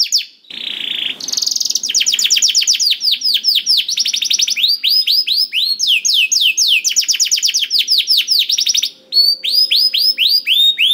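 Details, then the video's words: Canary singing nonstop as a lure for a silent bird: after a brief buzzy start, rolling trills of quick down-slurred notes follow in changing tempos, with a short gap near the end before trilling resumes. "PANCINGAN KENARI SUSAH BUNYI AUTO NYAUT GACOR TANPA HENTI || VOICE OF CANARY"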